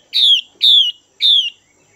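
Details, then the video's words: A female Chinese hwamei, caged, used for stimulating males, utters three strong whistled notes, each sliding downward, spaced about half a second apart against quiet background. "Chim Hoạ Mi Mái VIP Chùi Kích Bổi Căng Lửa Mái Gột Chiến"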